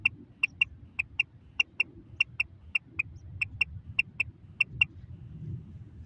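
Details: A female Common Quail, used as a call for quail hunting and netting, gives short, high, clicky notes in quick pairs, about one pair every half second, over a low background rumble.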